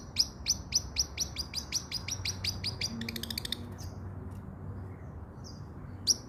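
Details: Long-tailed shrike song for training a silent bird: a steady run of sharp high chips repeated about three times a second, a brief buzzy rattle, then scattered short high notes with pauses.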